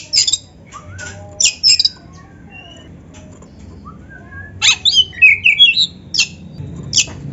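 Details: Oriental magpie-robin (kacer) singing in full gacor, narung style, used as tutor song to train other magpie-robins: sharp high chips and rasping bursts scattered among short whistled notes, with a loud cluster of buzzy trills near the end.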